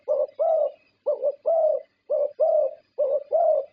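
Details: Champion zebra dove from Thailand, a contest winner, gives clean low coos in pairs: a short note followed by a longer, slightly rising one, repeated four times over a few seconds, with almost no other sound.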